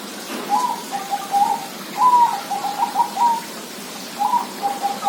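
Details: Zebra dove song: soft, mid-pitched coos delivered in quick bursts, a long rolling run followed by a pause and then another short cooing phrase.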